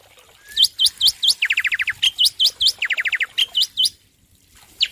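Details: A male Black-winged myna (Sturnus melanopterus, Indonesia) sings loudly: sharp whistles with an upward hook, broken by quick runs of about seven clipped notes, repeated in a lively phrase.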